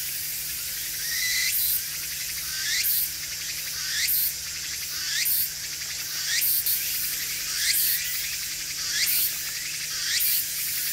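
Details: Siberian blue robins, a female and a young male, foraging and bathing at a water spot in an urban park, giving thin, quickly rising whistled calls, roughly one every second or so, over a steady high-pitched hiss.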